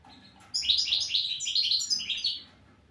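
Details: European goldfinch song, a burst of fast liquid twitters and chirps, bright and high, lasting about two seconds before stopping.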